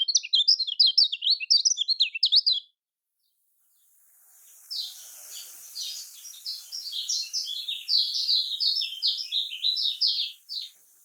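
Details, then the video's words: Lemon-bellied white-eye (kecial kuning) in a Lombok-style song: a loud rapid chatter of high chirps, a short silence, then more fast twittering phrases over a light hiss. "Kicaumania Kecial Kuning Paling Suka Ini Untuk Kecial Kuning Kurang Ngacor"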